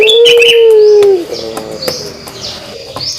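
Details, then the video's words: Pelung dove giving its kugeruk call: one loud, drawn-out coo of about a second, steady then gently falling, followed by softer low murmuring notes and faint high chirps in the background. "suara kugeruk burung puter pelung"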